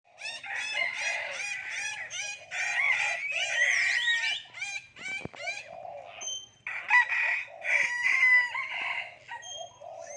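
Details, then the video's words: Common hill myna speaking human language: a run of harsh, voice-like harmonic syllables in quick bursts, with a sharp click near the middle, a brief pause, then more rasping talk-like phrases. "common hill myna speaking human language"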